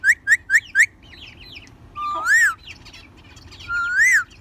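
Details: A ring-necked parakeet kept as a talking bird gives four quick chirps, then soft chatter and two long, arching whistles that rise and fall, over a steady low hum.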